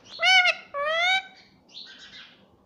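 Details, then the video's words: Pet rose-ringed parakeet saying "mummy" in two clear, voice-like syllables, the second rising slightly. A softer, buzzy chatter follows. "Talking parrot || talking parrot mummy papa || bolne wala tota"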